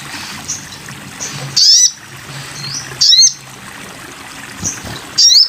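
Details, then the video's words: Sogon bird in a tutor recording for training cage birds: three loud, high, upswept whistled notes about one and a half seconds apart, with faint chirps and a steady low hiss between them. "masteran burung sogon"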